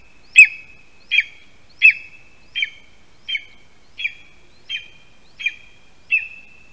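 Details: In Latvia on a 2021 August morning, a male lesser spotted eagle at his spruce nest calls his mate to a delivered mouse: nine clipped, high yelps spaced about 0.7 seconds apart, loudest at first and then softer.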